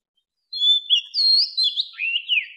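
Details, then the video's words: Mature wild Oriental magpie-robin, recorded in 2020 for attracting wild birds, delivers a softer phrase of long clear whistles that glide and bend downward, ending in warbled notes. "Tiếng chòe than già rừng hót - Tiếng chòe than gọi bổi"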